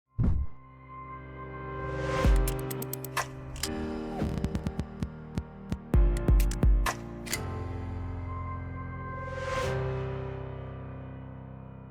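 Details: Music with a sustained low drone, sharp percussive hits and a few swelling whooshes; no animal voices.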